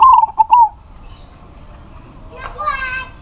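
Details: Local zebra dove, calling eagerly to a rival that answers: a single loud burst of quick, stuttering coos at the start, then quieter background sounds, with a fainter harmonic sound near the end.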